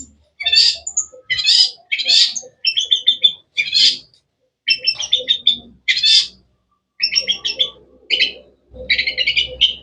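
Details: Long-tailed shrike (cendet) singing in grouped bursts: rapid buzzy high notes clustered into phrases about a second long, separated by brief pauses, continuing throughout.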